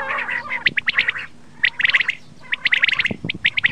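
Common quail giving sharp, clipped chirping notes in quick bursts of four to eight, with short pauses between groups. A faint low hum sits underneath.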